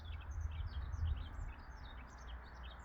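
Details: Yellow-throated bunting delivering a continuous run of quick, high, slurred chirps and twitters without pause, set against a constant low-pitched rumble.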